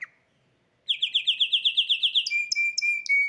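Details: Hybrid canary sings after a short pause: a bright rolling trill of rapid downslurred notes about four per second, then a steady high whistle broken by sharp upward chips; clean indoor recording without other sounds.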